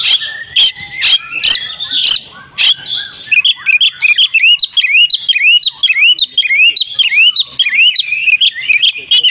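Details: Oriental magpie-robin in agitated fighting song, kept bird: loud sharp clicks at first, then a fast run of rising whistled slurs and chips repeated about three times a second.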